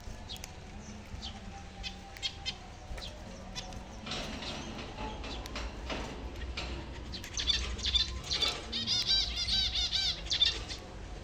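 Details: Zebra finches (Taeniopygia guttata) give short, nasal, toy-trumpet beeps in quick bursts amid a rustle of fluttering wings, around feeding time.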